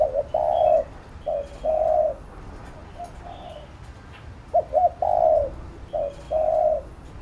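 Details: Spotted dove cooing to train a bird, repeating its phrase twice: quick hooked notes, a long soft coo, a short note, another long coo; faint twittering of small birds in the background.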